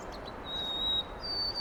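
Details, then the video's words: White-throated sparrow recorded 25 March 2021 in Carl Schurz Park, New York City, giving pure high whistled notes, one long steady tone followed by a slightly higher one, against low urban rumble. "WHITE-THROATED SPARROW Calls, Sounds"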